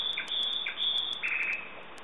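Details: Common nightingale song made of short clipped notes repeated about every half second, then a longer, buzzy ringing phrase over a thin high sustained tone.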